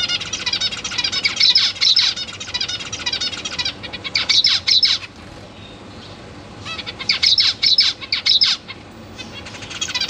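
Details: Captive zebra finch chicks, newly hatched, being fed by their parents in a cage; loud bursts of rapid, high, buzzy chattering calls around 1–4, 4–5 and 7–8.5 seconds, separated by brief quieter pauses.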